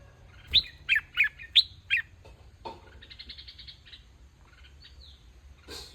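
A bulbul gives five sharp, bright chirps in quick succession, then a softer buzzy chatter and a thin downslurred whistle, with a faint low hum beneath.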